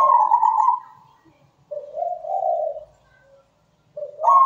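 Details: Zebra dove singing a rhythmic, melodious song. A loud trilled coo fades, a lower, softer purring phrase follows, and then a rising coo begins again.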